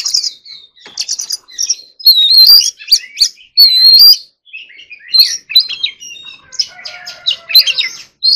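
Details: Magpie-robin training song in forest-voice style: varied loud whistled phrases, rapid chirps and rising slurs, broken by brief pauses, ending in scratchy chattering notes.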